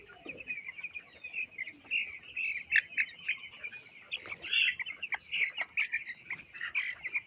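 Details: Farm-raised chicks at 18 days old keep up a steady mass of high peeping, with bursts of louder, sharper cheeps rising above the chorus in the second half.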